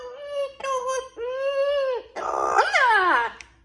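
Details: Pet parrot crying indoors in a tantrum because it does not want to go to sleep: three drawn-out, slightly wavering wails, then a harsher, louder cry with falling sweeping tones.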